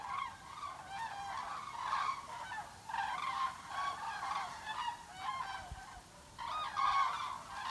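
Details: A flock of migrating common cranes circles over Altfriedland, a European bird protection area, giving loud, rolling trumpeted flight calls that overlap in repeated bursts every second or two, with a faint background hiss.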